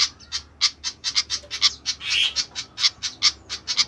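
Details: Sharp, high chips repeated quickly and unevenly by a noisy flycatcher, with one longer scratchy squawk midway; faint low hum beneath.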